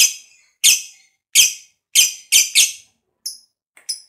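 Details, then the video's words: Lovebird calling to encourage other lovebirds to sing; a series of harsh squeaky chirps, some paired closely, fading to thin high peeps at the end. "Pancingan Lovebird Ngekek Panjang SUPER FIGHTER, LB Kurang Semangat Kembali RAJIN BUNYI"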